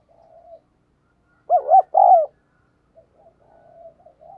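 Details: Spotted dove kept as a decoy, cooing and calling vigorously to draw wild doves: one loud two-part coo with arched notes, between softer low coos from other doves before and after.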